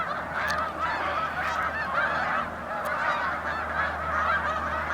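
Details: Snow geese by the thousands, wild, at the sailing club beach in Drummondville, November 2012: a chorus of nasal, yelping honks layered densely, with a low steady hum underneath.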